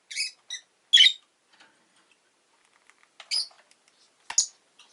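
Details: Rosy-faced lovebirds, a pair newly added to a household flock, giving shrill, high, harsh chirps in five short bursts spread over about five seconds, with near-silent gaps and faint clicks between them.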